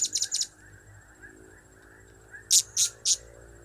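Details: Blue-crowned hanging parrot calls used as a lure, high sharp chips in quick bursts of three, a pause, then another set of three, over a faint steady background hum.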